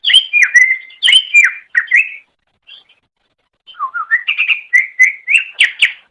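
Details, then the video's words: Greater green leafbird singing, taken from a master training recording: clear whistled notes with sharp high clicks, a silence, then a low whistled run climbing into a string of rapid, repeated chirps. "Ocehan Suara Burung Cucak Ijo"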